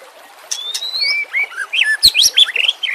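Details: White-rumped shama song used as a lure and to train shamas that stop singing, with nature sounds and water: a high thin whistle followed by a quick jumble of bright, twisting whistled notes and a few sharp clicks.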